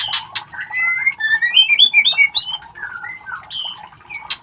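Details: Shama chicks being ringed call in a fast series of bright whistled and slurred notes, rising then falling in pitch, about four per second, with a few sharp clicks at start and end.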